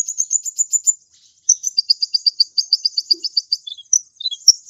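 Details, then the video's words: Lively kolibri ninja sunbird song meant for tutoring songbirds: a shrill, fast, very high trill, a brief pause, then a long run of rapid, evenly pulsed high notes ending in a few squeaky chirps. "suara burung kolibri ninja gacor"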